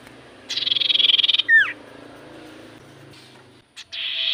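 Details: Javan white-eye song used to draw a reply from common ioras: a steady buzzy trill lasting about a second, a downward double slur, then a brief second trill over low rumbling background noise.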